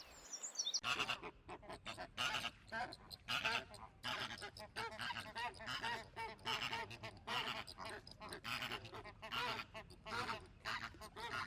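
A flamingo flock gives a dense, steady chorus of nasal, goose-like honks and gabbling, many birds calling at once with no pause.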